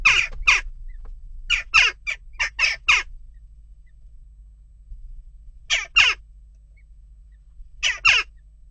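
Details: Western jackdaws restless at their nest box give loud grating calls in short clusters, separated by quiet gaps of one to three seconds.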